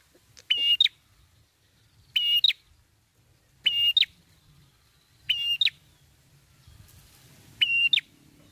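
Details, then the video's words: Red-headed prinia lure song, sung in steady, long-drawn style: single level whistles with a sharp rising tail, repeated about every one and a half seconds, five in all, against a quiet background. "suara pikat Prenjak kepala merah gacor ngalun"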